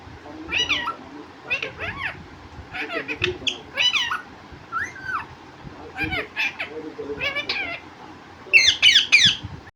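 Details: Talking parrot kept as a pet, claimed to say "mummy papa": repeated short harmonic squawks and speech-like wavering syllables roughly every second, ending in a louder dense burst of calls.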